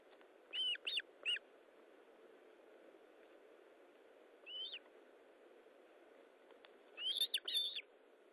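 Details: Osprey during feeding at the nest, morning of 19 July 2012: short clusters of sharp whistled calls separated by pauses, one soft isolated note midway, then a louder closing flurry.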